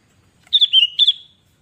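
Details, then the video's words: Sooty-headed bulbul in full voice delivers a loud, liquid whistled phrase, bubbling notes gliding slightly down and then rising again into a sustained clear tone, lasting under a second against a silent background. "Kutilang Gacor Pancingan"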